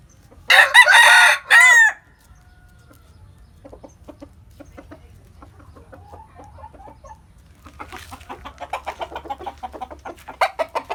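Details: Morning crowing from a countryside chicken: one loud two-part crow, strained and falling at the close, followed by faint clucks and then a run of quick, rhythmic clucking notes.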